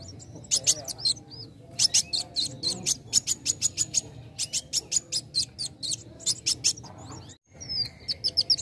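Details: A young sunbird's song, used to spur other birds into singing: long runs of rapid, piercing high chirps broken by brief pauses and a few thin slurred notes.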